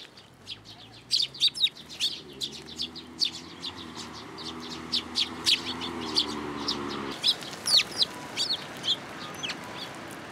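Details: Sparrows coming to a plum tree at a Tenmangū shrine to get food, 17 June 2022; steady high chirping from several birds over a low droning hum that stops partway through.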